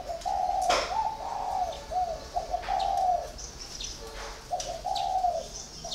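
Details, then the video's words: Spotted dove held four years in a cage as a còi, cooing steadily in mellow two-part phrases about once every two seconds. A few high twittering notes and a sharp click are heard. "còi 4 năm lồng"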